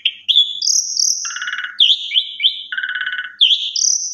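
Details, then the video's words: Varied song of an Asian pied starling mixing pure high whistles, trilled rattling notes in two pitches, and short rising slurs, with no pauses between phrases. "Suara Jalak Suren BERDAYU DAYU Seketika Langsung Respon Jalak Suren Macet Berkicau"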